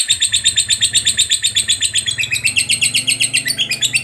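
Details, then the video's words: Lovebird chatter lure, fighter style, for stimulating other lovebirds: very regular rapid, shrill notes about four each second, continuous and metallic, over a steady low background hum. "Pancingan Lovebird Ngekek Panjang SUPER FIGHTER, LB Kurang Semangat Kembali RAJIN BUNYI"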